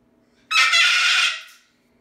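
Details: A pet Moluccan cockatoo indoors lets out one harsh, broadband screech of about three-quarters of a second, loud and raw, in a demonstration of how loud the parrot can get.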